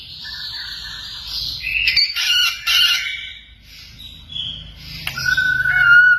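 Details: White-rumped shama training song with mimicked phrases imitating cililin, canary, konin and katem; harsh buzzy bursts and chatter, then a clear sustained whistled note near the end.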